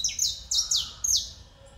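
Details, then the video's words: Domestic canary delivering a quick run of five loud, high, down-slurred notes, each dropping steeply in pitch, over a low background rumble. "CANARIO DO REINO cantoria LINDA"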